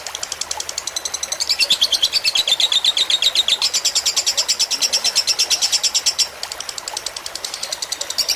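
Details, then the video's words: Lovebird fighter long-song tutor recording with trickling water; rapid high chattering that swells louder after one and a half seconds, dips briefly near six seconds, then resumes. "Suara masteran lovebird fighter dengan gemericik air agar cepat masuk"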